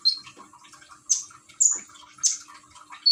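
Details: Common iora kept as a cage bird in Gresik, East Java, with trickling water played to encourage song; three sharp high whistled chirps spaced about half a second apart over soft gurgling water.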